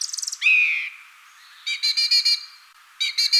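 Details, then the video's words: Song thrush, a woodland species, sings a fast rattling phrase, a slurred whistle, then a clear note repeated in quick bursts, imitating the same notes over and over; all high-pitched and loud. "So, let's have a listen first of all to the song thrush."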